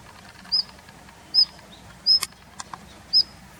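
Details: Daurian redstart in a plum grove, its territory for the winter, late February 2021: four short piercing whistles under a second apart, with faint ticking clicks between.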